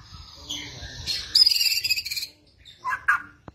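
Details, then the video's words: Rattling kretetan song of a white-rumped shama, used as a lure to prompt singing: soft whistles lead into a rapid high buzzy rattle lasting about a second, followed by two brief lower chirps. "masteran pancingan kretetan burung murai batu gacor"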